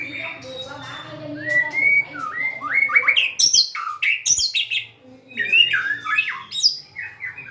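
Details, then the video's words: White-rumped shama singing a varied run of slurred whistles and rising notes, climbing into sharp high squeaks and chirps, brief lull near five seconds before further whistled phrases; low hum underneath. "Big Sound Birds Singing Chirping, Dancing And Beautiful Tails Wagging - Birds White-rumped shama"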